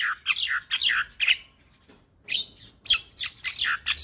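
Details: Tutoring song from a white-eyed champion Javan myna, full fill-ins, for daily morning play. Throaty, squeaky, chattering phrases come in clustered bursts with a short gap midway.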